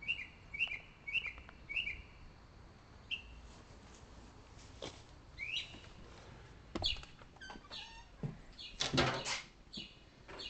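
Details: At about 1:10 AM in darkness, one loud bird in a tree outside a house gives high chirps in quick bursts of two or three notes, then falls quiet; others are faintly distant, and rustling or knocking noises follow.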